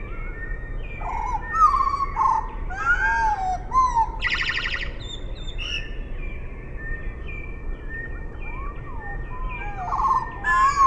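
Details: Eurasian blackbird song slowed to half speed: deep, fluted, slurring phrases that rise and fall, a burst of buzzy rapid notes midway, and further mellow whistled phrases near the end.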